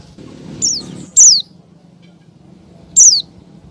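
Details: A female Oriental white-eye calls toward the male: two high, thin, falling whistled notes with a long pause between them, plus a fainter note, over a soft low murmur.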